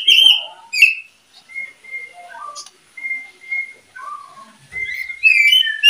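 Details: Paired oriental magpie-robins: sharp high whistled notes, then steady pure held tones at one pitch separated by gaps, ending in a fresh burst of varied whistling.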